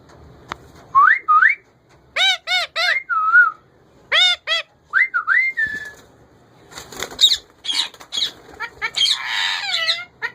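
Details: Male pet ringneck parakeet talking: short, clear tonal syllables with rising and falling pitch, some in quick pairs, then a burst of harsher chatter near the end.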